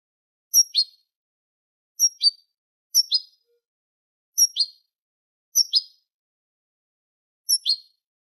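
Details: Eurasian goldfinch song, a tutor recording of the Manolo style for teaching young goldfinches and hybrids: short high chirped phrases with descending twitters, repeated roughly every second or so, in silence.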